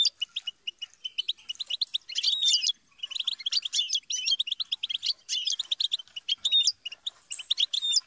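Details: Clear goldfinch singing: a cheerful string of rapid chirps, liquid twitters and short buzzy trills in clustered phrases, against a quiet background.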